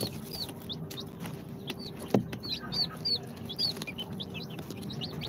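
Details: Newly hatched chicks, day two out of the incubator, Sultan, Golden Sebright, Cochin and booted breeds, utter high piping cheeps in small clusters, a brief tap near the middle, low hum throughout.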